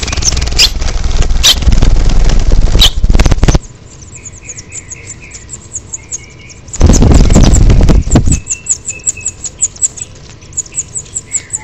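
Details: House finch nestlings, nearly as big as their parents, beg at the nest on 10 June 2007 during feeding: thin, high, rapid chirps, several per second, between loud bursts of wing flutter and rustling.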